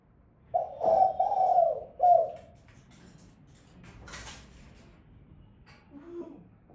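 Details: Female spotted dove giving low, soft cooing: one drawn-out hoarse coo of about a second and a half, then a short second coo, followed by near silence with faint room noise.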